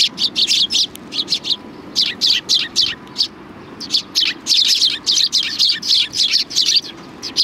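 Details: Sparrows coming to be fed at a shrine (Tenmangū) on 7 October 2020: a busy flock of short, bright chirps, overlapping and repeated rapidly and almost continuously, over a low background rumble.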